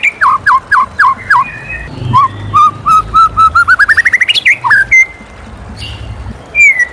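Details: Morning song of a white-rumped shama: rising whistled notes repeated quickly, then a long accelerating trill of short notes climbing in pitch, followed by a drawn-out clear whistle and a final high slur.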